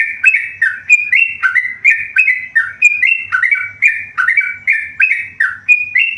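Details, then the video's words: Lively song from a tame yellow-vented bulbul: continuous chains of bright whistled notes, each rising sharply then falling, delivered at a brisk even pace with barely any pauses. "burung trucukan gacor jinak"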